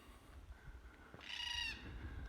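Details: In jarrah forest near Jarrahdale, Western Australia, a Red-tailed Black Cockatoo flying overhead near a rocky outcrop gives one harsh, rolling, grating screech lasting about half a second, over low wind rumble.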